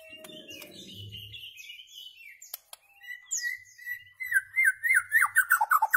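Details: Tutoring recording of a white-rumped shama for goldfinches and their hybrids: low rumbling background at first, then a long thin steady whistle that breaks into a quick run of bright, downward-slurred notes.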